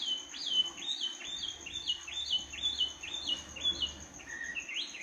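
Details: A bird sings in the middle of the night: a rapid run of about ten similar clipped chirps, roughly two per second, ending in a lower rising note, over a steady high whine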